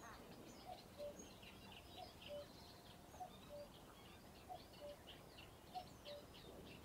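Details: Common cuckoo at Ham Wall Nature Reserve in Somerset, UK, giving its familiar two-note falling cu-coo five times, about every 1.3 seconds, with other birds chirping softly higher up and a faint hiss behind.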